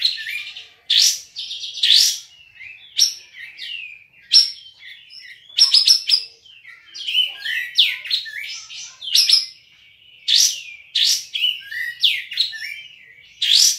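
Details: A caged Olive-winged Bulbul from Singkawang, West Kalimantan, singing for an online contest gives a long, energetic song of sharp high chirps, downward-slurred whistles and brief rattles, coming in irregular bursts with short pauses.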